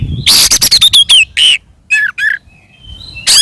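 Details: Oriental magpie-robin, a caged singer in full, aggressive fighting song used to provoke other birds: loud bursts of harsh rasping notes mixed with sharp whistled slurs, a quick volley of clipped notes followed by scattered phrases and pauses.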